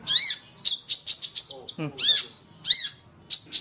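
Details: Master recording of a Long-tailed shrike for training captive birds: arched, harsh high notes alternate with rapid ticking chips and a low gravelly rattle, delivered in quick, irregular bursts.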